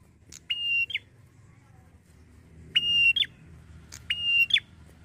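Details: Red-headed prinia lure call from Indonesia, meant to make other prinias respond quickly: harsh, buzzy, flat-pitched notes with a sharp downward slur at the end, each led by a brief high note, given three times in irregular bursts; faint low hum behind.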